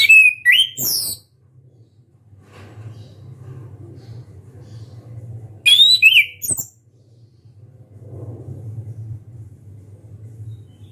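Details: Orange-headed thrush in loud song with open beak, two brief bursts of shrill whistled and squeaky notes about five seconds apart, with low background hum between.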